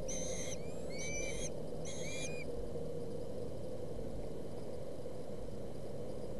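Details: Osprey chicks fighting over a fish at a Boulder County nest, 20 August 2017. Three loud whistled chirp bursts close together in the first two and a half seconds, then only low background rumble.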